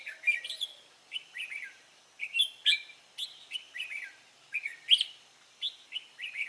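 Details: Red-whiskered bulbul newly taken from the wild, recorded 23 April 2017, repeating quick cheerful whistled notes, each rising then dropping, in a steady chattering string roughly twice per second.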